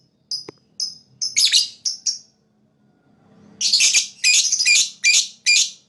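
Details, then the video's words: Lovebird chirping to attract other birds: clean high chirps and harsher notes at first, a short lull, then a steady series of loud, rough squawking chirps. "Lovebird Fighter Chirping sound, most powerful for attract other bird"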